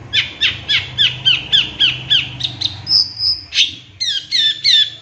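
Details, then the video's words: Cendet, the long-tailed shrike, in a pancingan training recording with isian tembakan material: fast run of downslurred chip notes, a pair of thin high whistles, then sharp bent notes; low hum underneath. "Suara Cendet No #1❗Masteran Pancingan Cendet Isian Tembakan MEWAH"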